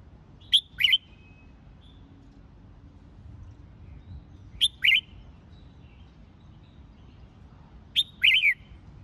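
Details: Competition-training song of a red-whiskered bulbul: three short, punchy phrases of two or three sharp whistled notes each, spaced roughly every four seconds over quiet background, with faint soft chirps between.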